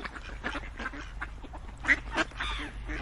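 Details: Duck quacks, several at a time, come as raspy nasal bursts about three or four per second, a few standing out louder near the end over a low hum.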